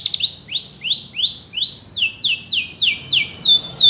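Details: For song training, a canary sings rising whistled syllables about three per second, then switches to crisp descending sweeps at the same quick pace.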